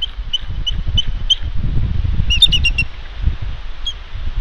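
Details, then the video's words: Female bald eagle on her nest at the West End, Santa Catalina Island, California, in February 2021, calling while ravens harass her during egg incubation. Short high piping chirps come about every third of a second, then a tighter burst, over low wind rumble. "Ravens Harass Thunder❗️She Calls, Wingslaps & Stays Put!"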